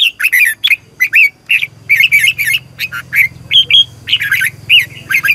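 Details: Red-whiskered bulbul in continuous competitive singing, a long double twisted style played as a lure to train birds in the morning. Dense chattering, warbled whistles repeated with barely a break, with a low hum underneath.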